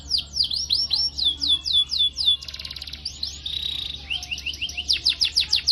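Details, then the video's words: Canary song used as a training recording for young canaries: rapid rolling trills of descending swooping notes at high pitch, a buzzy stuttered section in the middle, then fast repeated down-slurred syllables, with a low steady hum underneath. "MASTERAN KENARI Gacor PANJANG CUIT CUIT NGEROL ini terbaik buat Pancingan KENARI PAUD"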